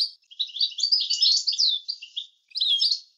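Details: European goldfinch song recorded clean for teaching young birds, in an approved 'language' style: a long run of fast, jangling twitters and bright chirps, then a brief gap and a second burst, on a silent background.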